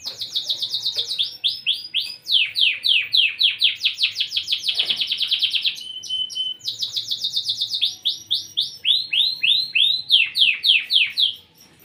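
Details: Canary singing energetically: rapid buzzy trills of repeated down-slurred notes, with phrases stepping between higher and lower pitches, a brief steady whistle midway, then more fast rolling trills.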